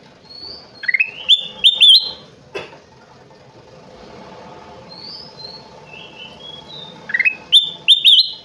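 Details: Kutilang emas, a golden bulbul, in vigorous song: two bursts of rising whistles and sharp clear notes about six seconds apart, with soft high chirps from other birds between them.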